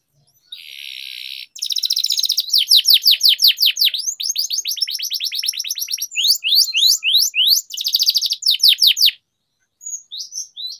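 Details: Training song of a canary, with long rolls: a brief buzzy trill, then a dense series of loud downward-sweeping whistles, bursts of chattering notes and fast rattles, stopping before a few faint closing notes.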